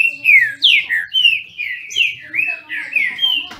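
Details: Brazilian thrush (trinca-ferro) in a singing dispute, captive-bred in Brazil: steady chain of clear downslurred whistles, roughly three per second, loud and rich.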